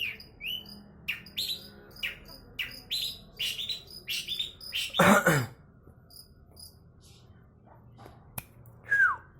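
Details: Long-tailed shrike singing lively bursts of high chirps and short slurred notes, broken midway by a loud rustling noise, then mostly quiet with a final sharp downslurred call.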